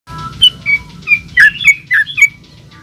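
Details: Yellow-vented bulbul singing in the rapid 'gacor ulpik ropel' style used as a lure for other bulbuls: about eight short bubbly whistled notes, alternately higher and lower, spread over under three seconds above a low background hum.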